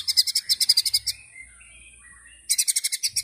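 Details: White-rumped shama (murai batu) tembakan song: a fast, high, evenly pulsed burst of about three notes per second-fraction, a quiet gap with faint soft whistles, then the rapid high pulses return.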